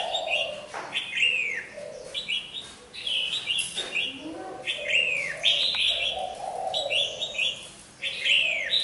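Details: A molting red-whiskered bulbul sings lively, repeated whistled phrases with downward-curving notes every second or so, over a constant background hum.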